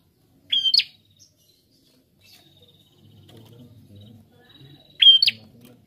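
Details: Prinia singing energetically, two bright phrases about four and a half seconds apart, each a level high whistle ending in a rasping upswept note; faint low rumble in the gap.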